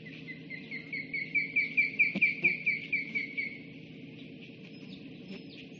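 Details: Osprey at its nest, filmed by a live nest camera on 26 July 2016: a quick series of clear, chirping whistles that swell in loudness and then fade, about a dozen notes in two seconds, over a steady low hum.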